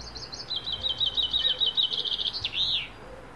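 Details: Wild niltava singing at dawn in the forest: a rapid run of high, thin chirping notes descending slightly, then a few louder slurred whistles near the end.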